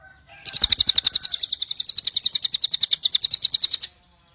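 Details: Cililin bird, played as a mental test to provoke fighting spirit, emotion and quick response in songbirds; a fast, high, dry chattering trill of evenly repeated notes, about eight per second, lasting over three seconds, in a quiet setting.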